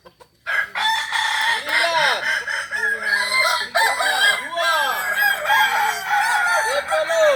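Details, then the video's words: Kokok Balenggek roosters at a joint training gathering, Ampang Kualo, Kota Solok; a long crow of many repeated arched syllables, several birds crowing over one another almost without a break. "latberan ayam kukuak balenggek ampang kualo kota solok"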